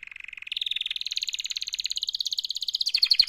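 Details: Canary mating-call song as one continuous rapid trill, pulsing several times a second, stepping up in pitch and growing louder over about three seconds.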